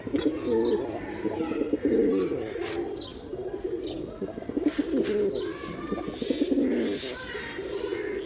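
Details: Steady, throaty cooing from male pigeons pulses in uneven waves, several birds overlapping, with light clatter in the background.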